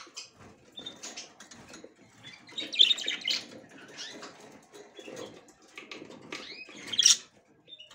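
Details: Female budgie trying to go into the nest for the first time; soft scratchy chatter building to louder chirps, a quieter spell, then a final bright burst near the end.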